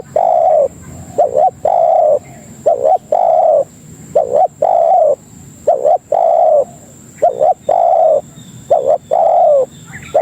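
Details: Tekukur, or spotted dove, cooing as a lure to draw other doves: repeated phrases of a short two-part note then a drawn-out level coo, about seven phrases in steady rhythm, clear and close.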